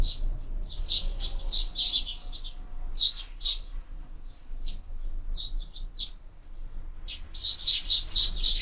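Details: Sparrows at feeders mounted on a window, being fed: clusters of short, high chirps in quick bursts, pausing and resuming, with a faint low hum beneath.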